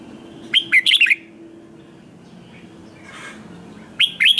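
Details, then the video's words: Red-whiskered bulbul singing competitively to stimulate newly caught birds: two bursts of quick, bright, slurred whistled notes, one early and one at the close, with a soft rushing noise in between. "Kích Chào Mào Hót Ché/ Kích Chào Mào Bổi Hót Đấu Mới Nhất / 100% Căng Lửa / Nghe Là Phải Đấu"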